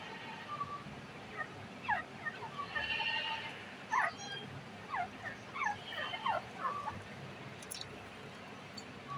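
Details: Grey francolin calling during the breeding season, giving a rapid run of sharp, downward-slurred whistled notes that bunch together and repeat in quick succession over about five seconds, with steady low background noise.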